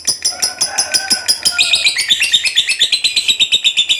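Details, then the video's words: Contest fighter lovebird in a rapid, pulsing chatter of shrill notes that turns harsher and more squeaky after the first second and a half. "SUARA BURUNG LOVEBIRD FIGHTER GACOR NGEKEK PANJANG"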